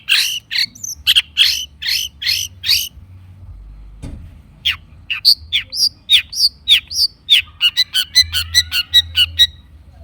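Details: Long-tailed shrike lure song for birds that have stopped singing: a run of harsh, rasping bursts, a short pause, then varied whistled and chattering notes that quicken into a rapid ticking series.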